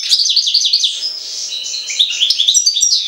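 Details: European goldfinch from Jagodina, singing a fast tinkling twitter of high, sliding chirps and buzzy notes in a near-continuous stream over three seconds.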